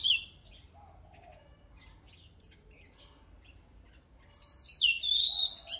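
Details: Oriental magpie-robin song meant to excite competition birds: scattered quiet high notes and a soft low whistle, then a loud closing burst of clear high whistles and quick trills.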